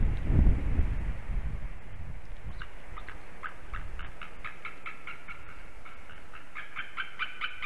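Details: A white-tailed eagle at a nest in Slītere National Park, Latvia, calls a lot at 9:12 am on 16 December 2020: a fast series of yelping, ringing notes speeding up, after a low rumble.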